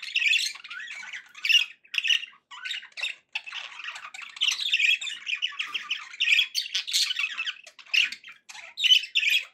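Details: Cheerful pet budgies chatter steadily: fast, gritty warbling mixed with clicks and sharp squeaky chirps, in loud bursts with brief gaps between them.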